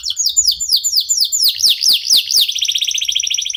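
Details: Canary of a local type singing to set other birds off: quick downward-sweeping chirps repeated steadily, several sharp clicking notes mid-phrase, ending in a fine rapid trill.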